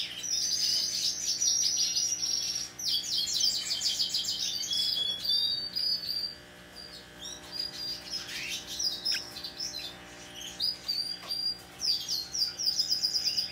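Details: Hand-tame Pacific parrotlet, 26 November 2021: dense runs of high, shrill chirps and buzzy trills for about six seconds, then sparser sharp tweets and short rising squeaks in a faint, steady background hum.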